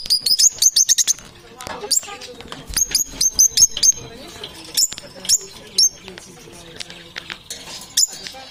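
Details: Parrots calling: rapid series of very high, thin, sharp chirps in quick bursts, clustered at the start and around three and five seconds, with softer scattered clicks and chatter between.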